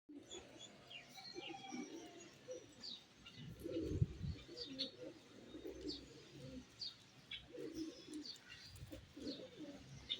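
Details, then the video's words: Pigeons in the morning, giving low, soft, rolling coos in repeated bursts about every two seconds, with higher thin chirps and tweets from other birds scattered above and faint wing flaps. "morning with pigeon"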